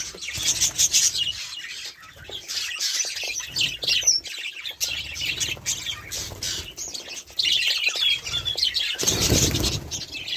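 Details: Budgerigars chattering in waves of fast high squeaky notes, with a loud broadband rustle or burst near the end.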